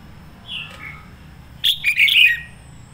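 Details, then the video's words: Decoy red-whiskered bulbul singing an intense sổ bọng-style song: a faint whistled note and a short slur first, then a loud, quick warbled phrase of bright, chirpy notes sliding up and down, over a quiet low hum. "Chào mào mồi hót sổ bọng căng lửa"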